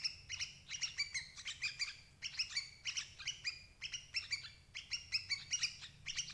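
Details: Sooty-headed bulbul calling, recorded as a lure to trap parent birds: bursts of sharp, high, chattering chirps with clear ringing overtones, coming in tight groups about every second, with a faint low hum underneath.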